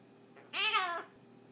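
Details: Blue-crowned conure kept as a pet, speaking on cue at its owner's prompting in a small room: a short, babbling, word-like phrase with rich harmonics lasting about half a second, set between the owner's soft spoken prompts.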